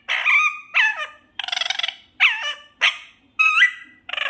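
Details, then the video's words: Talking desi parrot with a sweet voice, producing a steady string of short, nasal, speech-like syllables with bending pitch, one buzzy rattling note among them, spaced by brief pauses in a quiet room. "PARROT TALKING Sweet voice || Desi Parrot Talking best scene"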